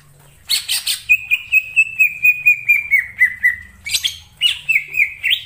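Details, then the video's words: Greater green leafbird calling in wild forest: a loud buzzy burst, then a long series of rapid even notes sliding gradually lower, followed by another harsh burst and a few rising whistles. "suara cucak ijo di alam liar_ijo hutan"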